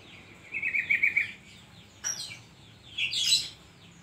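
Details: Oriental magpie-robin in full song with koslet-style filler: a quivering whistled trill held for about a second, then a sharp click-like note and a burst of rich, rising warbles.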